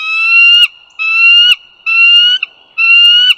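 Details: Bald eagle calling near the Dulles Greenway in northern Virginia, 16 April 2022: four evenly paced, slightly rising whistles, each ending in a sharp downward flick, roughly every 0.9 seconds, with a faint steady high tone.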